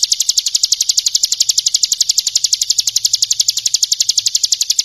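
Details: Bar-winged prinia singing in the ngebren style, recorded as a tutor song for training other birds: an unbroken run of rapid, sharp, high chips repeated steadily for about five seconds, with a faint low hum beneath.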